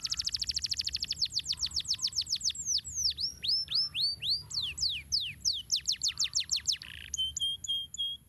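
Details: Training master song of a canary: a dense fast trill speeding into crisp descending whistles, varied looping slurs, then a brief buzzy note and a few flat high chirps.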